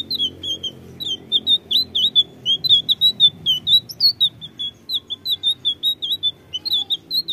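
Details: Blue flycatcher singing in a lure meant to prompt birds to respond: bright, high chirps and short slurred whistles tumble out about twice a second, unevenly spaced, above a quiet low background hum.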